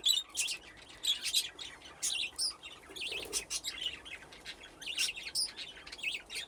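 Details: Captive budgerigars playing in an aviary fitted with nesting boxes; busy overlapping chirps and bright twittering notes, coming in rapid bursts throughout.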